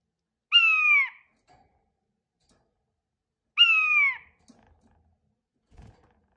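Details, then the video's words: Male King quail calling: two loud, drawn-out notes that slide downward, nasal and rich in overtones, each about 0.6 seconds long and spaced roughly three seconds apart. The background is quiet apart from a few faint knocks. "Geluid Chinese dwergkwartel. Sound Chinese King Quail Male"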